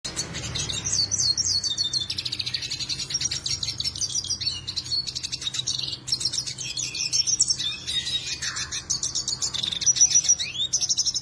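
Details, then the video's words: Actively singing Black-headed siskin, kept as a collection bird and used as a tutor song for training other birds. It pours out an unbroken stream of high, scratchy twitters, buzzy trills and sharp chirps for over ten seconds. "BlackHoded Siskin gacor"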